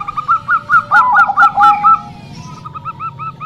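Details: Female zebra dove of local stock, song used to attract males: a run of bright staccato notes over a lower overlapping line, then a softer, faster string of small notes.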